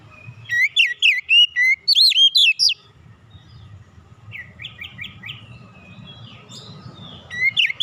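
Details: Oriental magpie-robin song used to draw other birds into singing: dense looping whistled phrases for nearly three seconds, a quieter stretch of short repeated chirps, then loud whistles returning.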